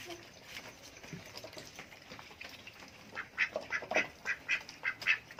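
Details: Adult domestic duck calling for food: after a few seconds of quiet background noise, a run of short, nasal quacks repeats rapidly, about two per second, growing louder toward the end.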